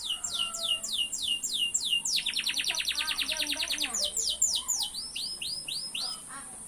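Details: Singing canary delivering a series of descending whistled sweeps, a quick rattling trill, then more swooping whistles, all high and clear, with a steady high hiss in the background.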